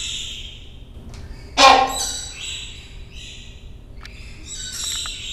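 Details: Single short, harsh honk from a hornbill at Pittsburgh's National Aviary, USA, recorded in 2012, rising out of a busy background of high whistles and chirps from other captive birds.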